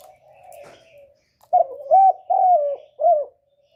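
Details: Spotted dove used to lure wild doves toward a trap: a soft, wavering murmur, then four mellow coos in quick succession, the third longest and falling.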